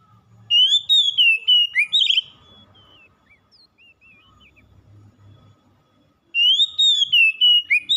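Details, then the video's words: Oriental magpie-robin in full song: a warbled whistled phrase of swooping notes, a quiet gap with faint soft notes and low background rumble, then a further bright run of rapid whistles. "KACER MALAS BUNYI TERPANGGIL LANGSUNG TAK HENTI HENTI GACORNYA"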